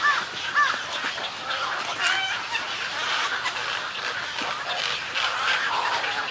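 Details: Snowy egrets at a nesting colony giving colony and greeting calls: a dense chorus of harsh, raspy croaks and squawks from many birds that overlap continuously, with a few sharper, higher notes standing out near the start.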